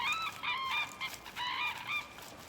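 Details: Red-crowned cranes on their winter grounds by the Imjin River in the Korean DMZ give loud, ringing, trumpet-like honks in quick overlapping bursts, about four runs of calls in under three seconds.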